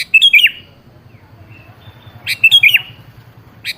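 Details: Sooty-headed bulbul lure song for getting a silent bird to reply: one cheerful warbled phrase, a long gap with faint low rumble, then a second similar phrase and the start of another.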